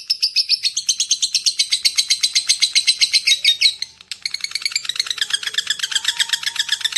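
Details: Rapid lovebird chatter used to attract other lovebirds. High, harsh notes rattle on for four seconds, stop briefly, then resume as a slightly lower, looser ticking series with faint background noise.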